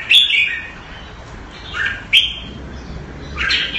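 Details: Caged red-whiskered bulbul kept Thai style in Singapore, recorded around 14 February 2018; short bright warbled phrases high in pitch, separated by pauses of a second or more, with a few sharp clicks and a quiet background.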